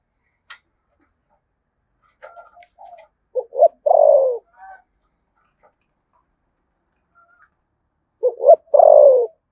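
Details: Đồng Nai, Vietnam: a spotted dove's 'thúc gù' coos in 'giọng thổ sấm' voice. Scattered faint murmurs lead into a deep phrase of two short hoots and a long downward coo. A quiet gap follows, then the same phrase again.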